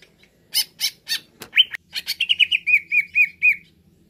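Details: Greater green leafbird, being roused to sing: several harsh buzzy notes open, then a quick stutter of chirps leading into a steady series of clear whistled notes repeated about four times per second.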